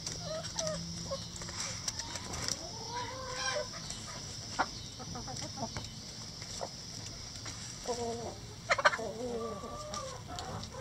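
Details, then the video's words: Backyard chickens eating in their run: soft, low clucks and short murmuring calls, with a few brief rising squawky notes and scattered clicking sounds against a steady background hum. "Chicken Sounds"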